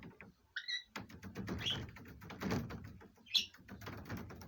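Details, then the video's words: Two pet budgerigars, a courting pair, chattering during free time out of the cage: a couple of clear whistled notes, then continuous soft, buzzy warbling with occasional high chirps. "鳴き声 求愛 セキセイインコ"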